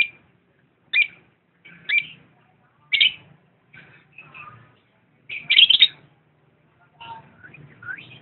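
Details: Lovebird uttering scattered sharp, high squeaky chirps about once a second, with one louder buzzy cluster of harsh notes midway and a faint low hum underneath.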